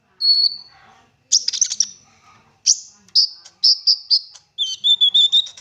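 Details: Olive-backed sunbird in rich 'isian' song, meant to coax other sunbirds to sing. The bird gives a lone high whistle, then buzzy chip bursts and repeated sharp notes. It ends with a wavering, slightly lower whistled trill.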